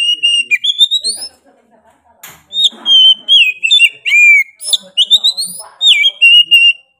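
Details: Oriental magpie-robin singing nonstop in 'gacor' style, a varied stream of sweet whistles, sharp slurs and rapid chips with a brief lull and a light rustle mid-way.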